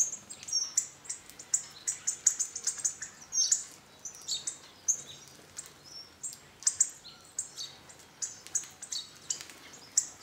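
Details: Hawfinch flock visiting a bird feeder on an old pig house in a garden in northern Hungary, near a walnut tree; sharp, very high clicking ticks tumble over each other in quick, irregular bursts throughout, several birds calling at once.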